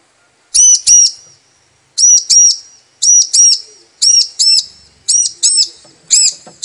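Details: Calling female bar-winged prinia, a lure for stirring males into song: after a brief pause, sharp high chirps come in steady doubled pairs, roughly one pair each second, clean and loud against near silence.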